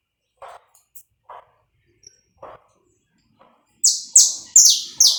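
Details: Uncut live recording of a saffron finch used to warm up another bird: soft low chirps spaced about a second apart, then a fast run of four loud, piercing, downward-slurred high notes.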